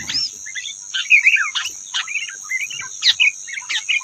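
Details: Wild rufous-tailed robin in song contest with caged birds: separate bright chirped phrases, some sliding down, spaced by short pauses, over a constant high-pitched tone.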